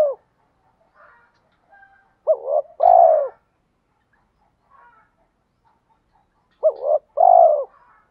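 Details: Male and female spotted doves calling to prompt cooing during training. Two widely spaced phrases of a short trembling note and a longer, louder descending coo, with a few faint quiet notes between them.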